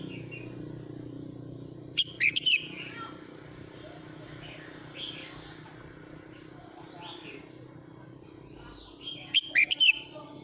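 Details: Male red-whiskered bulbul singing to call the flock; two short bursts of bright warbling whistles several seconds apart, with softer notes between, over a steady background of traffic and engine hum.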